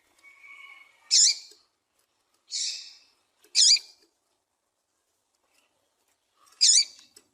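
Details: A female Double-collared Seedeater calls, a recording used to stimulate and attract males. It gives four short, high, buzzy chip notes about a second apart, preceded by a faint thin whistle.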